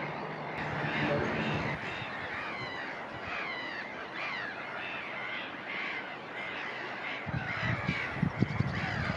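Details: Black-headed Gulls at a breeding colony at Woolston Eyes in May 2019 fill the air with a dense chorus of harsh, rasping, overlapping cries from many birds; low rumbling and a brief voice are also heard.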